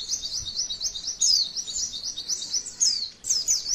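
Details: Female white-eye singing a masteran training song with long rolling trills: rapid high-pitched chattering notes in a continuous stream, with brief sharper whistled accents around the second and third seconds.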